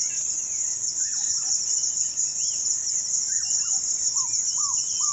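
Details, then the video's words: African barred owlet singing in Kenya, where it has a restricted range: a series of short, arched whistled notes building toward the end, over a loud, steady high-pitched insect drone. "African Barred Owlet singing"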